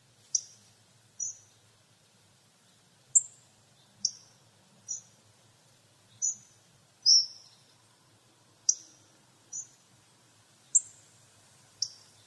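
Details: Hawfinch, Coccothraustes coccothraustes, repeating about a dozen short, piercing tick calls at uneven intervals of roughly one second, each crisp and metallic, in a quiet setting.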